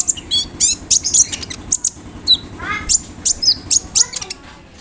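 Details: Konin song packed with mimicked cricket and bird phrases for training songbirds: quick sharp chirps and descending whistled trills in rapid succession, roughly four notes a second, over faint low background noise.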